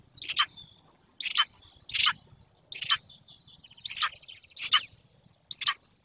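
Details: Golden eagle at a remote wild nest in Bucovina, where a pair raises its chick, caught by a nest webcam: seven loud, harsh, downward-sweeping chirps at irregular intervals, with faint thin whistles from other birds between them.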